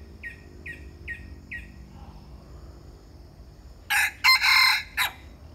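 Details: Loud rasping crow of a bantam chicken in several broken bursts, preceded by four evenly spaced short high chirps from a small bird.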